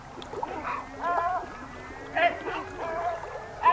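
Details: Great black-backed gull (Larus marinus): a run of short barking, nasal calls at an uneven pace, some doubled, with lower bird sounds and a steady low drone behind them.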